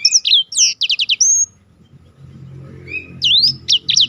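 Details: Black-throated canary singing for contest-bird training: quick bursts of high slurred whistles and buzzy repeated notes, a short pause with low background rumble, then another fast phrase of sweeping notes.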